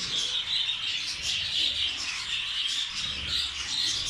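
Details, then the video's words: Caged budgerigars and zebra finches feeding on rice fill the air with constant, high-pitched warbling chirps and squeaks, an unbroken twittering chorus with light rustling underneath. "Budgies and rice meal"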